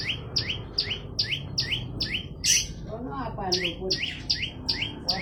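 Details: Olive-backed tailorbird in vigorous song, repeating high two-part notes, a sharp falling chip then a rising slur, roughly two or three per second, with one brief harsh burst and lower warbling sounds from another source partway through.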